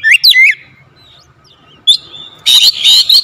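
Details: Oriental magpie-robin, a lure bird used to prompt other magpie-robins to sing, giving short rising whistled and scratchy phrases near the start, then a rich burst of loud warbled notes at the end, with quiet gaps between.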